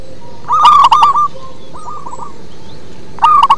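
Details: Local zebra dove with a deep, bass voice: a loud run of quick stuttering coos, a quieter echoing phrase, then another loud burst starting at the end.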